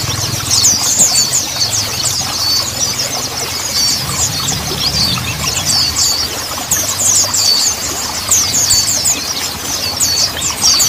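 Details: Mountain white-eye, recorded as therapy sound to prompt untrained birds to start singing: continuous rapid, very high-pitched chattering twitters in bursts that rise and fall in loudness over a faint low hum.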